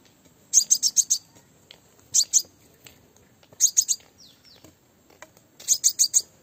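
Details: Female Crimson sunbird's lure call for drawing in males; four bursts of three to five high, clipped ticking notes at irregular intervals, with a couple of faint downslurred notes between them.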